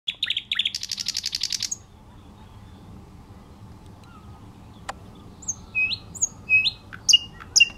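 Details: Thrush nightingale, one of several singing in plain sight on a clifftop path south of Vang, Bornholm, in 2009, recorded with a bridge camera: a rapid rattling burst of repeated high notes, a pause, then scattered sharp whistles and clicks.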